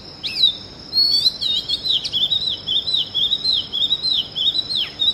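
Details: Copsychus saularis, the Oriental magpie-robin, at early morning: a loud, continuous warbled song of rapid rippling whistled notes with abrupt upward flicks, sustained for several seconds above a steady high thin tone.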